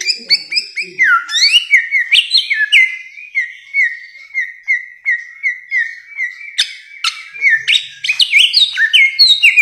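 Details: Long bare-throated whistler performance in 'masteran' style: after a few upward swoops, a steady series of clear level whistles repeats about once every half second, ending in more elaborate rising phrases.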